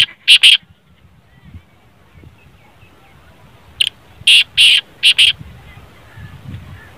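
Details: Black francolin call, played to get a kept francolin that has stopped calling to start calling. Loud, harsh, grating notes come as a short double burst, then after a pause a group of four or five ringing notes, over faint background noise.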